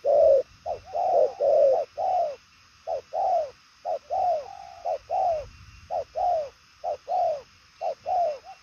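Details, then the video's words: Purple-legged 'đồng son chân tím' spotted dove cooing fast in a far-reaching patterned style; rounded, slightly downslurred coos come in uneven clusters, with brief pauses between groups and a quiet background. "Đồng son chân tím gù quá tốt, nước xa tốc độ bài lối"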